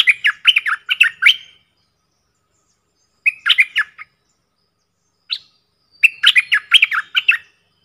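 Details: Four caged decoy bulbuls, described as coming from the real forest, call in repeated bursts of rapid, bright, gurgling chirps. The bursts are separated by pauses of one to two seconds, with a single brief note between them.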